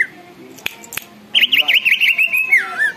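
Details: Greater green leafbird singing hard enough to stir other birds into song and agitation: after a few clicks and murmured speech, a rapid wavering trill of high whistled notes ending in a downward slur.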